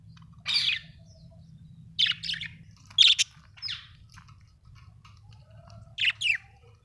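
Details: Budgerigars kept at home uttering short, scratchy chirp bursts spaced a second or more apart, with quiet gaps and a low background hum.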